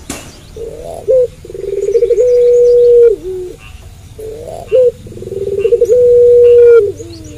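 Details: Puter pelung dove, a frequently singing bird, cooing at night. Low cycles repeat twice: a short rising note, a rolling pulsed trill, then a long steady hum that drops at the end. Faint high chirps sound in the background.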